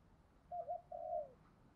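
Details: Spotted dove kept as a decoy bird, cooing to lure wild doves: one short low coo phrase of two soft rolling notes, then a longer slightly falling note, against quiet background hiss.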